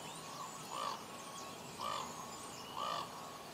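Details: Common ravens "talking" in Juneau, Alaska, give three hollow, croaking calls about a second apart. Each is a short rounded note over a steady background hiss.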